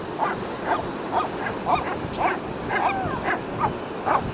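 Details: Seagulls at the ocean in California call with short, yelping, irregular notes spaced roughly every half second over constant rushing surf.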